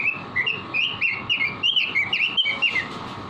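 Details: Training recording of a caged robin in full song: rapid, warbling whistles tumble one after another, bright and varied in pitch, forming a continuous chattering phrase above a soft, steady hum.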